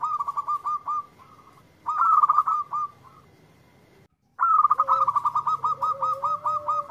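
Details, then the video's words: Local zebra dove responding to a lure recording: two stuttering runs of clipped notes, a brief silence, then a long loud series of rapid, evenly repeated notes above a rising lower whistled tone. "Perkutut Lokal Gacor yang ND4blek langsung nyaut"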